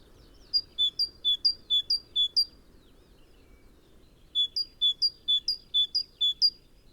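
A great tit sings bright two-note 'tea-cher' phrases, high then lower, about five in quick succession, pausing, then repeating over a low background hum.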